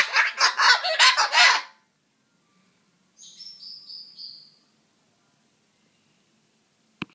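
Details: Grumbling cockatoo, busy trying to scare away a mosquito: a rapid run of about seven scratchy, raspy pulses. After a pause come a few thin, high whistled notes, and near the end a single sharp click.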